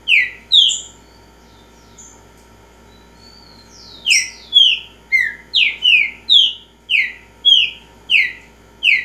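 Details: A Green-winged saltator of the repeating type delivers two whistles, a pause, then a rapid string of about ten clear downward-sliding whistled notes.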